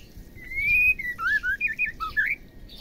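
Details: Female Oriental magpie-robin, recorded to spur males into singing: a long clear rising whistle followed by quick looping, warbled notes that dip and climb, a short loud phrase.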